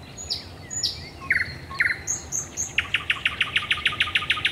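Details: A thrush nightingale sings at night by the Raszyn Ponds in Poland, 10 May 2021: whistles and short buzzy chords, then a long fast series of about fifteen knocking notes repeated several times a second.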